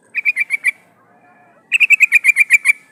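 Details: Female sooty-headed bulbul in heat, calling males, used to lure wild birds; a quick series of five clear chirps, a pause, then a longer run of about ten rapid, evenly spaced chirps.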